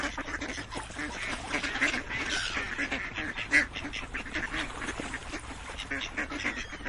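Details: Loud, raspy duck quacks in a crowded chorus, some calls stretched and drawn out, others clipped, with one sharp louder quack standing out midway.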